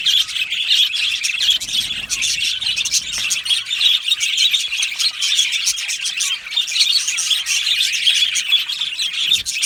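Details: Budgerigars in an aviary colony, a dense unbroken wall of high chirps, warbles and squawks from many birds at once, steady in loudness for the whole stretch.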